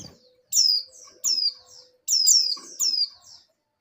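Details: Female oriental white-eye in breeding condition calling to the male; high, thin descending chirps sliding down from very high pitch, given in pairs and short bursts about every three-quarters of a second, with a faint low hum beneath.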